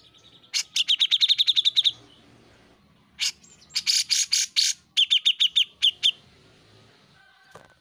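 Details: Caged-bird master recording of grey-cheeked bulbul song, made for tutoring other songbirds: fast runs of sharp repeated chirps, then harsher rasping bursts and a few spaced notes, over a quiet background hum.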